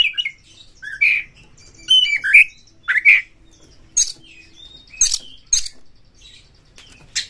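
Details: Vigorous song of an Oriental magpie-robin provoking a rival to fight: loud slurred whistles and squawky, grating bursts come in clusters of two or three with pauses between.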